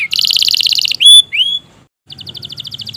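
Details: Canary singing long and vigorously as a lure for reluctant canaries: a dense buzzy roll, a pure sustained whistle and a rising slur, brief silence, then a fast, evenly pulsed chirping trill.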